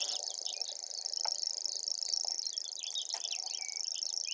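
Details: Common grasshopper warbler singing a steady, very high, insect-like reel that runs unbroken through the whole stretch, with brief chirps and whistles from other birds scattered underneath.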